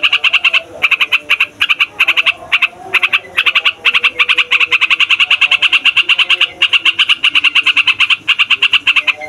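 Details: Trucukan, the Yellow-vented Bulbul, in noisy rolling song for luring wild birds: clipped bubbly notes first in short bursts with gaps, then settling into an unbroken rapid chatter of three to four notes per second.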